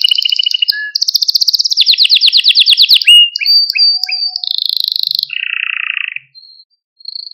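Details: Training song to excite young canaries: a high trill, a long rolling run of rapid repeated notes, a few short chirps and whistles, then a low buzzy tour before a pause and a final brief note.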